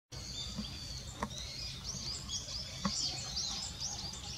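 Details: Goldcrest recorded on 22 December 2017, giving thin, very high-pitched, short sibilant notes in loose series over steady background hiss, with a couple of faint low knocks.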